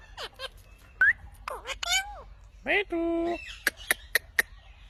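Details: Indian ringneck parrot talking: a string of speech-like syllables with sliding whistled tones, one longer buzzy phrase, and a closing run of sharp, evenly spaced clicks or squeaks, indoors.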